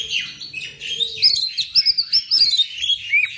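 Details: Oriental magpie-robin delivering a fast series of sharp, evenly spaced chirps and short whistles, building into a loud rhythmic phrase, with some low background hum.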